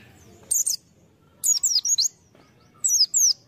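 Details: White-eye (pleci) recorded as lure material for bird keeping; very high, thin twittering in three short bursts of rapid chirps, each note a quick sweep mostly falling in pitch, separated by brief pauses over a quiet background.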